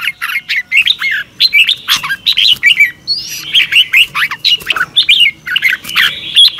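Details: Red-whiskered bulbul singing in the morning, a training song in the double-twist voice style used as a lure for other birds: fast, loud warbled phrases of rising and falling whistles, packed almost without pause.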